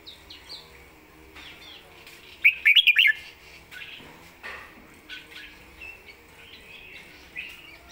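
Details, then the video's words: Caged red-whiskered bulbul noted for distinct phrasing and quick clear voice; a burst of rapid bright chirping in the middle, with softer warbled notes before and after. "สำนวนดี"เดินเพลงชัด ปากไวเสียงชัด#เสียงนกกรงหัวจุก"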